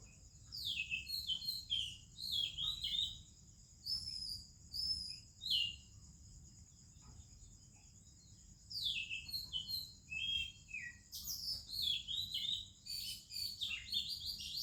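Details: Morning song of an Oriental magpie-robin in India, other birds also singing: bursts of varied rich whistles and quick chirpy twitters in phrases a few seconds long, separated by pauses, with a constant shrill insect drone behind.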